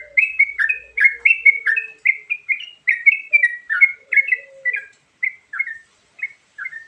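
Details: Sooty-headed bulbul giving varied fill-in song for luring birds: dense, loud bubbling whistled phrases that thin out into spaced single notes, with soft low whistles underneath early on.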